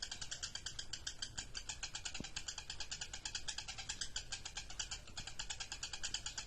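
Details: Lovebird delivering a ngekek song: an unbroken stream of rapid, scratchy chattering pulses, several per second, kept up without pause, with a faint low rumble beneath.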